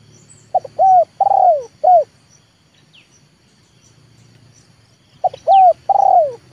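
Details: Spotted dove, a trained 'leopard' lure bird trying to call wild birds down, repeats its mellow cooing phrase twice about four seconds apart, with a low background hum and a few faint high chirps.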